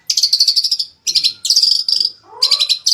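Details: Magpie-robin song made of dense, high, buzzy trills repeated in three rapid bursts with brief pauses between, plus a softer lower sliding note near the end.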